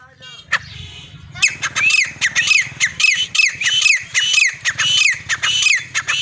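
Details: Titar partridge of a good breed: a brief voice at the start, then a fast series of loud, rising, slightly harsh whistled notes, roughly two per second, in a small room.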